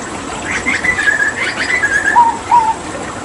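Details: Hooded butcherbird from Papua, a mimic used to tutor other songbirds, giving a rapid chattering run of buzzy notes that drops into two clear, lower whistles; steady hiss behind.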